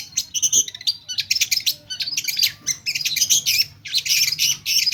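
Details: Long-tailed shrike pouring out a dense stream of mimicked phrases, harsh chattering and scratchy notes almost without pause, high and loud throughout.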